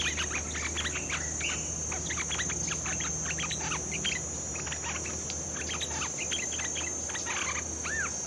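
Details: Newly caught bulbul in training chattering steadily in short sharp chirps and clipped notes, with one slurred rising-then-falling whistle near the end, set against a steady high-pitched insect hum.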